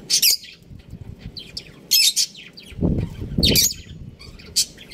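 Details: Chirps from a budgerigar breeding pair: loud, shrill, scratchy bursts spaced a second or two apart, mixed with softer twittering and a low rustling, fluttering noise midway through.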